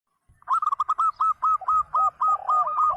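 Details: Local zebra dove singing a clear 'crystal' voice song used as a lure for other birds: a quick run of about fifteen rolling, hollow coo notes, steadily repeated, with faint low rumbling beneath.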